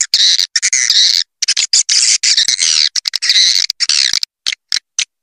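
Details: Swiftlet; lure call; attracting swiftlets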